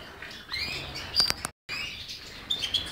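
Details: European goldfinch giving brief twittered phrases: rising chirps and a sharp high whistle, two loud clicks, then a short break and more tinkling whistled notes.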